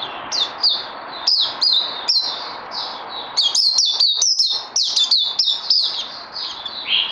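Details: Bird undergoing song training after Covid-19, recorded 18 May 2020: steady stream of loud whistled notes, each sliding down, packed tightly together through the whole seven seconds with a brief louder flourish midway.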